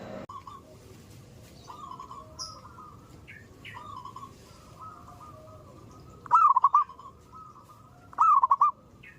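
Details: Zebra dove heard at morning: quiet distant rolling coos at first, then two loud close phrases near the end, each a lifted coo breaking into a quick run of short notes.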